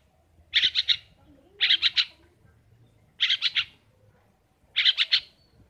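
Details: Long-tailed shrike (pentet, cendet) kept by a family: four evenly spaced bursts of triple harsh, grating rasps separated by quiet pauses.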